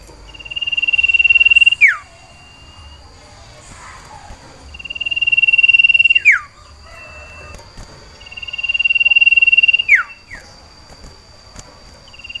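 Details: Cipoh sirtu iora in breeding condition, caged and calling for a female to mate: three long steady pulsed trills, each about two seconds and ending in a sharp downward sweep, repeated every four seconds with quiet between.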